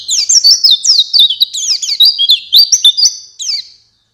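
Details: White-eye song recorded as a lure for night and morning. It is a continuous, lively, high twitter of quick up-and-down slurs, delivered rapidly for nearly four seconds and ending in a thin, trailing note.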